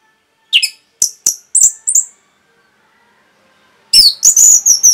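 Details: Orange-headed thrush in rapid song intended to provoke other birds: five crisp, sharp clicking chirps at about three per second, a pause, then a loud harsh run of buzzy, high whistled notes.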